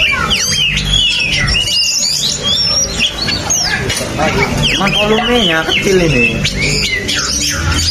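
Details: Oriental magpie-robin singing a continuous, loud and varied song of sweeping whistles, harsh notes and fast trills, with a low hum and some background voices.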